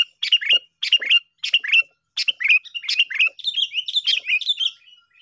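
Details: Sooty-headed bulbul, from lure-trapping practice, giving loud chattering phrases: sharp bursts of slurred whistles repeated about every half second, merging into a smoother run of warbled notes toward the end.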